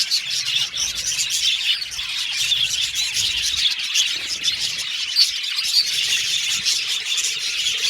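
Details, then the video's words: Budgerigars chattering as a colony in an aviary: dense high warbles and chirps overlapping, punctuated by a few piercing whistled notes toward the end. "Budgies Chirping Sound"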